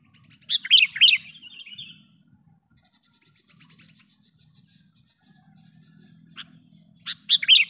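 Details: Sooty-headed bulbul used as a lure bird, calling to attract wild bulbuls: a loud, bubbly burst of quick warbled notes, a short isolated note, then another bubbling burst, with faint low rumbling underneath.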